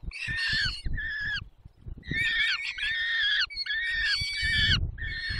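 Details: Feeding at 10:22, 20 May 2021, Barycz Valley: a peregrine falcon gives wavering, whining cries in groups separated by a brief pause, with low rumbling and scuffling sounds throughout.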